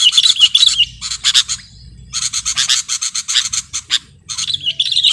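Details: Sooty-headed bulbul in a recording made for luring and masteran training: dense bursts of rapid, harsh chattering notes in quick runs, broken by short pauses, with a faint low rumble beneath.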